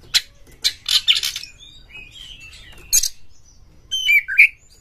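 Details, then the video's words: White-rumped shama song used as a lure for other shamas: harsh broadband rasping bursts at the start, then quieter slurred whistles and a final pair of bright whistled notes. "pancingan KACER Gacor buat Master KACER Buka Ekor"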